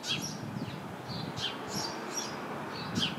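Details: House sparrows chirping in a busy bush; repeated sharp chirps, some loud and some faint, run steadily through the clip.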